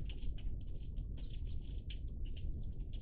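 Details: Iberian magpies, several together, recorded 03-10-20, produce dense, rapid, rasping chatter with many overlapping short calls over a loud low rumble.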